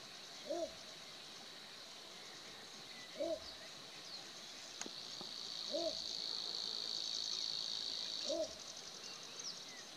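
Little bittern giving four short, deep, croaking barks, one every two and a half seconds, over a steady high buzzing of insects.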